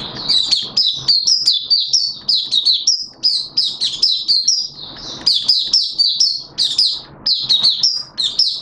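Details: Malaysian white-eye (mata puteh) kept as a songbird, open song on 21 June 2023: almost unbroken high, sweet chattering of rapid rising and falling chirps with only brief pauses.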